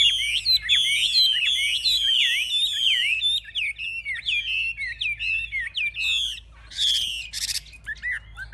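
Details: Chinese hwamei in a cage, a fierce fighter, displaying with raised wings and fanned tail; a fast series of ringing whistled notes with hooked slurs, later breaking into separate phrases and a short harsh burst.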